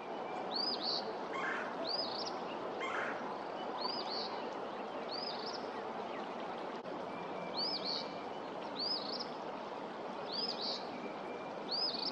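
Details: At Pawnee Prairie Park in late February, February 23, 2024, an Eastern phoebe repeats short, high, hooked two-part phrases roughly every one to two seconds over a constant wash of running water.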